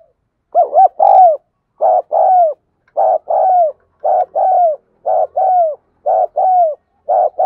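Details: Spotted dove kept as a lure bird, cooing: low mellow phrases of a short note followed by a longer drawn, slightly falling coo, repeated about every second in a steady series; no other sounds.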